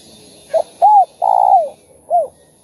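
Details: Spotted dove cooing in the thúc, gù and calling style used to stimulate other doves: one brief note, an arched coo, a drawn-out vibrating coo that falls at its end, and a closing coo, in a quiet setting.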